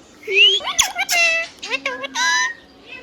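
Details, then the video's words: Hand-tame pet rose-ringed (ringneck) parakeet talking, chattering shrill, harmonic, speech-like phrases with sharp squeaky syllables over about three seconds, like a high-pitched talking voice; it says "mithu", "bachcha" and meows. "Green Parrot Natural Sound | Hand tame Parrot Talking video | Mithu Tote Ki Awaaz"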